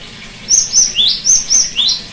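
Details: Repeated song of a cinereous tit, played as therapy for a bird that no longer sings: two shrill high notes and a lower rising note, heard as two matching phrases in rapid rhythm.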